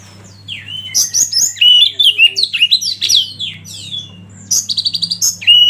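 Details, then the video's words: Loud Oriental magpie-robin song of rapid mixed whistles, buzzy notes and chirps, with a fast stuttering trill near the end, over a low steady hum and faint lower murmurs. "Masteran Kacer Eksklusif"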